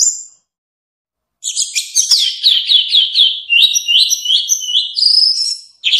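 An orange-headed thrush sings a fast, varied stream of high, sweet whistles and slurred notes, bursting in after a brief pause and running without a break.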